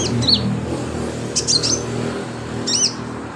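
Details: Actively singing sunbird, recorded as training filler for cage birds: three brief bursts of thin, high, slurred chirps against a loud, rumbling background noise.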